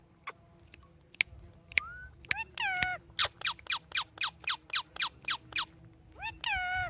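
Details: Pet talking parrot giving a string of sharp clicks, a rising whistle, then a rapid run of about a dozen bright descending whistled notes, closing with a harmonic-rich upslurred call.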